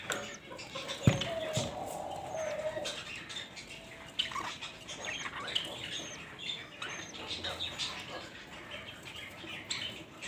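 Budgerigar chicks beg with scratchy, rapid chirps while a parent feeds them.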